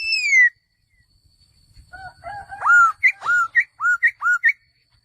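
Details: Male laughingthrush opening with a loud downslurred whistle, then after a short quiet spell building into a run of rich, clear whistled phrases, about eight notes alternating low slurs and higher peaked notes.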